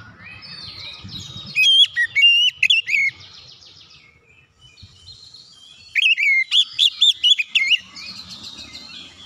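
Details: White-rumped shama song meant to trigger singing in other shamas: two loud bursts of rapid, warbling whistled notes separated by a quieter pause with faint background chatter.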